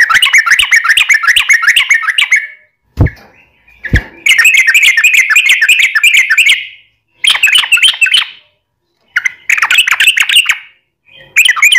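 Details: Yellow-vented bulbul in energetic gacor long-trill song, played as a lure to make other bulbuls answer: bursts of rapid, bubbly chattering notes in three to four runs, with two sharp knocks between the first phrases.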